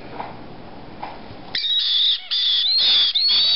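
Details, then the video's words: Hungry white-bellied caique chicks aged 5 to 6 weeks: quiet background at first, then a run of loud, raspy, drawn-out begging calls broken by short gaps, repeated roughly every half second to second. "Baby White Bellied Caiques 5 to 6 weeks old"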